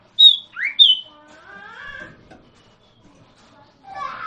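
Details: Common iora (sirtu or cipoh) gives a high whistle, a short lower upsweep and another high whistle. Softer low wavering sounds follow, with a brief burst near the end.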